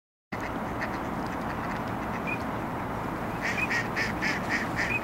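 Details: Female lesser scaup at Burnaby Lake give a quick run of short, rough, nasal notes, about three per second, over a steady wash of wind or water noise.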